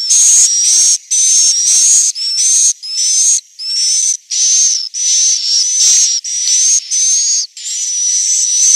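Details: High, hissing buzzes from roosting swiftlets in Central Sulawesi, repeated in quick succession, each carrying a thin rising-and-falling whistle, with short gaps between notes.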